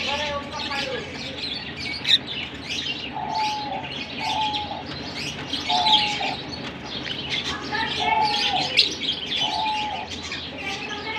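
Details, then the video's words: Larkana lovebirds keep up busy overlapping twittering, high thin chirps mixed with brief flat whistled notes repeated every second or so, over a low steady hum. "Lovebirds sing Sweet Serenades"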